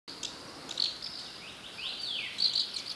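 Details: Asian house martin recorded with a Canon EOS 7D; thin high buzzy chirps and short rising-falling twitters scattered over steady background hiss.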